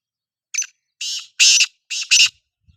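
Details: Kala teetar, the black francolin, calling loudly: a brief opening note followed by four rasping, buzzy bursts, the final pair closely spaced, delivered in under two seconds with nothing else audible.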